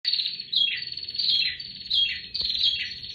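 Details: Bar-winged prinia (prenjak tier) singing energetically: a continuous run of harsh, buzzy, high chattering notes in several rising-and-falling phrases, with a brief click partway through and a quiet background.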